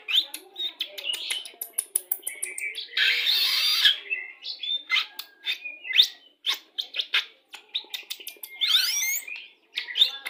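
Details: White-rumped shama of the pastol type in dense, varied song used as a lure when pairing birds to bring them quickly into breeding condition; rapid chirps, whistles and rising slurs tumble together, broken by a harsh noisy burst near the middle.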